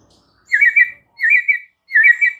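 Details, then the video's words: White-rumped shama giving three short warbled whistled phrases about every seven tenths of a second, used as a lure for stalled, stressed birds. "Murai Batu GACOR BONGKAR ISIAN , paling EFEKTIF untuk PANCINGAN Murai MACET & STRESS parah"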